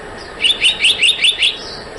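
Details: Black-naped monarch: six loud, bright, upturned notes in a tight, even rhythm lasting about a second.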